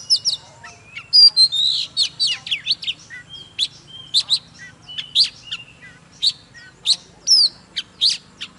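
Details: Oriental magpie-robin singing hard while displaying: a busy run of sweeping whistles, trills and sharp chips, then separate bright notes at short intervals, with a faint low hum underneath.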